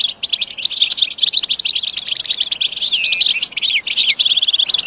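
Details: Singing goldfinch meant as a model for caged birds: a steady run of rich, liquid twitters mixed with clear, drawn-out whistles and swooping slurred notes, with no pause throughout.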